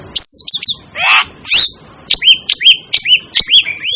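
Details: Rapid series of thin, upward-hooked whistled chirps from an Asian glossy starling, about two each second, mixed with a rasping burst and a sharp squeal early on.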